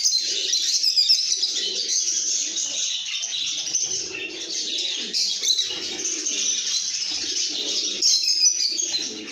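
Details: Happy lovebirds chattering together, the cheerful sounds said to show a good mood: nonstop high, scratchy twittering and sharp squeaks, with softer, lower warbling notes weaving underneath.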